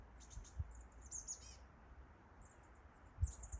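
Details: High, thin chestnut-backed chickadee calls on Mt. Doug: a buzzy cluster of rapid notes near the start, then quieter lisping notes later, with dull low knocks and handling-like thuds beneath.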